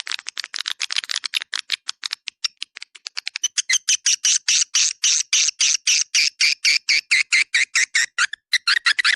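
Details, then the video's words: Swiftlet calling sound, 'Dua Bidadari', meant to pull in swiftlets: a long even series of short, sharp chirps that begins fast and soft, then grows louder and steadier. "SUARA PANGGIL WALET DUA BIDADARI RESPON TERBAIK DI AREA CENTRAL WALET"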